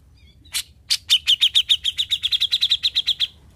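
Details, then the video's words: Grey-cheeked bulbul (cucak jenggot) in the rapid 'besetan' singing style, a bird described as once silent and now singing freely: a brisk run of about twenty sharp, evenly spaced chirps at one high pitch, lasting nearly three seconds. "Besetan Mantul ! Cucak Jenggot Bisu Jadi Gacor"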